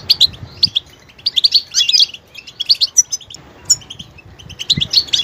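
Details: Varied goldfinch song made of high, jingling twitters in dense clusters, a few thin whistled notes, and short silent gaps between phrases.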